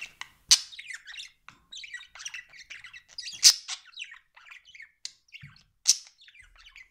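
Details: Pet budgerigar warbling in a continuous run of buzzy twitters, punctuated by several sharp, loud clicks or squeaks.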